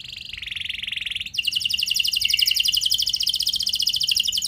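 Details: Canary lure song used to make other canaries sing, starting softer with a steady trill, then jumping louder into a fast, dense, evenly pulsed trill held to the end.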